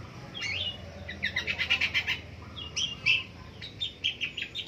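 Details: Long-tailed shrike singing in the morning: mixed whistled and scratchy notes broken by quick rattling bursts of clipped chatter, repeated in short phrases over a clear, quiet background.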